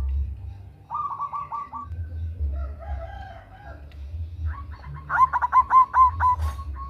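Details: Local Indonesian zebra dove, a female calling a male, with a loud, big voice, used as a lure: two quick bursts of soft, rapid cooing notes, the second longer and stronger, over low background rumble.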